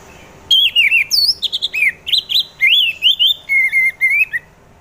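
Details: Orange-headed thrush song meant as a lure to get other birds singing: a continuous run of loud, varied whistled phrases, rising and falling notes with slurred, warbling twists.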